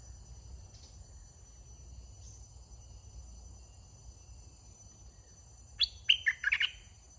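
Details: Red-whiskered bulbul, a caged decoy bird kept for trapping wild birds, gives a brief burst of bright chirping whistled notes near the end after quiet background hum and faint distant notes.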